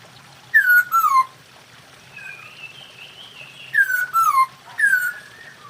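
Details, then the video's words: Masked laughingthrush, a kept songbird, in a recording meant to raise breeding drive. Clear descending whistles of about half a second come in pairs, with a softer wavering whistle between them over a faint low hum. "poksay hongkong kawin"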